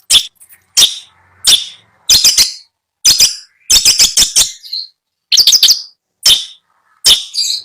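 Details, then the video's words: Long-tailed shrike in a cage at a bird seller's in Bondowoso, Indonesia: loud harsh chattering notes, some in quick doublets and triplets, separated by short pauses. "Suara merdu burung cendet"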